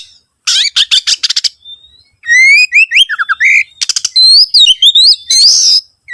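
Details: Oriental magpie-robin song meant as a lure to get other birds singing: a burst of rapid scratchy notes, then varied sweet whistles sliding up and down in quick slurred sequences, with a final harsh buzz.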